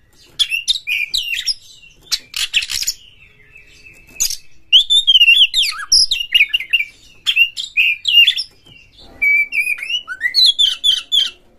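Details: Oriental magpie-robin performing a long, continuous lure song to stimulate other magpie-robins, with harsh material: rapid chattering bursts, buzzy rasps and quick whistled slurs run almost without break.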